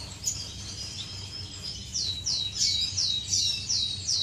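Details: Finches courting inside an aviary, recorded 10 May 2015: a run of quick, high, sweeping chirps repeated several times a second, growing louder in the second half over a low background hum.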